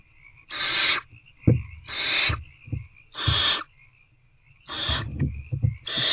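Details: Five drawn-out hissing screeches from hungry owlets in a nest box, evening of 26 February 2024, as they again try to eat a rodent; brief taps and shuffles between calls, steady hum beneath.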